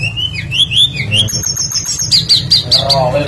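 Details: Tledekan songbird singing as a lure for other birds: a short string of wavering high whistles, then a rapid run of sharp notes, over a low humming music bed.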